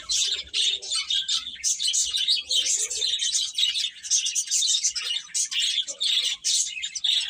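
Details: Chicks chirping together, a continuous stream of bright, high-pitched peeps from many birds, almost no pauses, with no other sounds.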